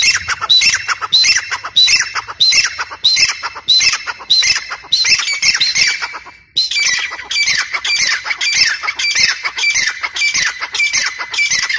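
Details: Black francolin calling: a loud series of harsh, grating squawked notes repeated roughly every half second, with a brief break past the midpoint before the sequence resumes. No other clear sounds.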